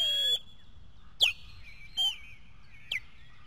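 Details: Osprey alarm calls at the nest on 15 May 2024 while an intruder attacks: three or four piercing, high whistled notes, each starting with a sharp onset and sliding downward, spaced about a second apart.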